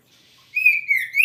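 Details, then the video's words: Kacer, or oriental magpie-robin, in full vigorous song (gacor): after a faint hiss, a short loud whistled phrase slides down a little and then sweeps sharply upward at the end. "Kicau burung kacer Mantap keren langsung gacor"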